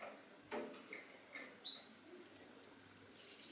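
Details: Canary singing a song that mimics other birds: after a quiet start with faint knocks, a bright, high whistled note rises into sustained, wavering pure tones with quick flicks near the end.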